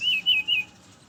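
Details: Morning song of a brown-chested jungle flycatcher, played as a lure for others: three clear wavering whistles in quick succession, then quiet.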